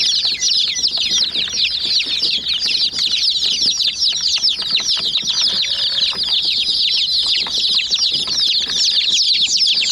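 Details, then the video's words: A group of hen chicks pecking a white mini jeep toy; shrill downward-sliding peeps overlap in a steady, busy chorus for the whole stretch, punctuated by light knocking from beaks. "Murgi Chicks Chirping Sounds"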